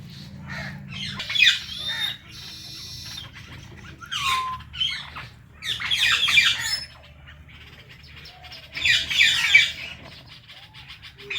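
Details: Indian ringneck parrots kept as pets, a blue one among them: scattered bursts of gritty squawks with short gliding whistles and quiet pauses between the louder outbursts.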